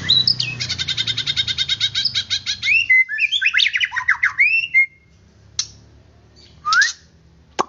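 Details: White-rumped shama, aimed at making a kept bird excited and quick to sing. Opens with a rapid, evenly repeated run of sharp notes, then varied whistled and slurred phrases, followed by scattered clicks and one rising whistle amid quiet.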